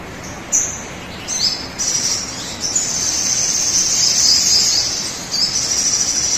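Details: Crimson sunbird song played to coax birds into singing: sharp high chirps open into a long, thin, shimmering trill that runs several seconds, broken briefly before resuming, over steady background hiss.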